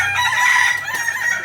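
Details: A Kukuak Balenggek rooster, singing chicken breed of Solok, gives a loud, high, held crow note with a slight wavering, trailing into a rougher continuation, backed by steady background noise.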